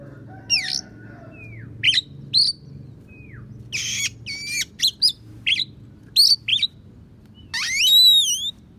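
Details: Tutor song of a calm-type Oriental magpie-robin stuffed with imitated sparrow and prinia phrases: brisk falling and rising whistles, clustered chattering chirps, a harsh buzz near the middle and a closing wavering high whistle.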